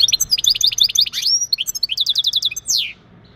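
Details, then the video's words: Male European goldfinch mating calls used to prepare a female for breeding: fast, bright, high-pitched twittering with liquid chirps, a quick run of repeated ticking notes, and a final descending buzzy slur before falling quiet. "بتبتات ونداءات التزاوج عند ذكر الحسون فعالة في تجهيز أنثى الحسون"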